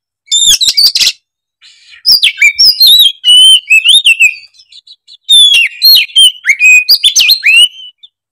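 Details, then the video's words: Oriental magpie-robin, a lively singing bird, delivering a varied song of sharp whistled notes, swooping slurs and rapid chattering bursts in three main phrases separated by short pauses. "Kicauan kacer gacor emosi bongkar isian"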